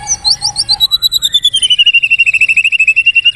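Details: White-rumped shama singing a varied phrase: high slurred notes, then a long fast rattle that settles into a steady, slightly descending trill.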